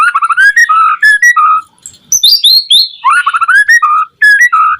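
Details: White-rumped shama song meant to trigger other shamas to sing: rapid ascending whistled runs, a burst of very high sweeping notes, then the rising run repeats with mellow lower whistles.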